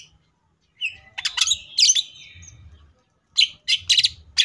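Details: Greater green leafbird delivering varied "tembakan" bursts: a thin whistle, then clustered harsh notes, a silent gap, and several separate loud sharp chips toward the end.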